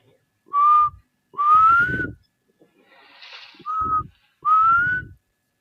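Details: A Black Cuckoo calls in the background at a waterhole on 5 December 2023 while young elephants spar: four clear, mournful, slightly rising whistled notes in about five seconds, over a low rumbling background.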